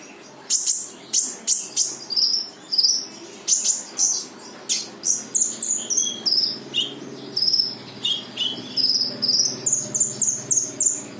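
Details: Brown-throated sunbird singing energetically in full tembakan style, meant to prompt a silent bird to answer: a fast, steady stream of high, sweet chirped and slurred notes, roughly two per second, continuing without a break.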